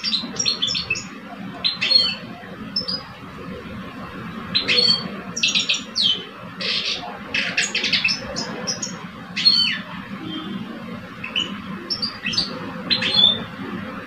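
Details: Two male European goldfinches in cages, a mature one and a two-year-old, compete in song. Scattered clusters of high, clipped twittering notes and buzzy trills come every second or two over constant background hum.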